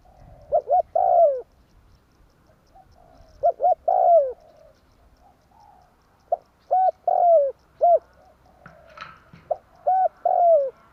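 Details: Spotted dove calling in tarik akar style as a trapping lure: several cooing phrases, short paired notes then a long descending coo, with extra separate notes later and a brief higher chirp near the end.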